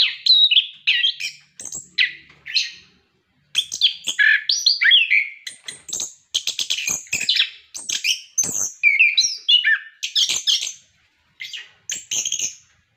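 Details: Orange-headed thrush singing at length, used to prompt caged birds to sing: a rapid, varied stream of rich whistles, trills, slurred notes and harsh chips, with a few short pauses and some imitation-like mixed phrases.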